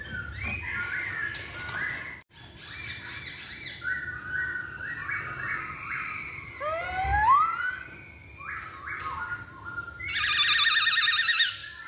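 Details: Masked laughingthrush lure recording meant to prompt birds to sing: overlapping whistled and chattering phrases, a sweeping upward slur near the middle, ending in a loud harsh rasping burst.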